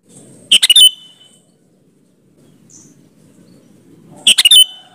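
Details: Sooty-headed bulbul song used to coax other bulbuls into calling back: two quick clusters of loud, liquid, chirping notes separated by nearly four seconds of near silence.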